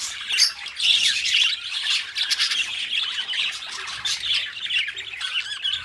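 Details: Companion pet budgerigars produce a lively, irregular stream of harsh squawks and scratchy chirps, about two bursts every second, over a constant warbling murmur.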